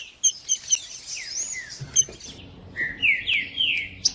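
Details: Trinca-ferro song used to stir up a silent caged saltator: high thin notes at first, then clear rich whistled phrases sliding downward, repeated in a run of four or five slurs, with little background noise.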